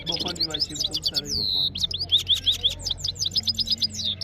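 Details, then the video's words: Red-fronted serin song, recorded by phone: rapid bright chattering twitters and a sustained high whistle, repeated buzzy slurred notes, over a steady low hum. "Gulsar singing voice | One red fronted serin bird Vs five step by step"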